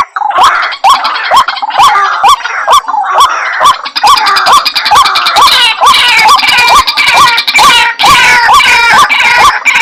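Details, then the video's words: Lure sound for White-breasted waterhen: rapid series of hoarse, hooked notes about two per second. The sequence begins sparser and builds into a thick, continuous croaking chorus. "Suara Pikat Ruak Ruak , pemanggil ruak ruak"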